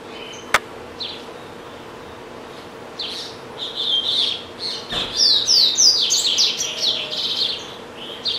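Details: Caged double-collared seedeater kept as a pet, singing a lot; after a quiet start and a sharp click, high bright chirps and quick descending whistled notes build into a fast phrase around the fifth to seventh seconds, with steady low hum behind.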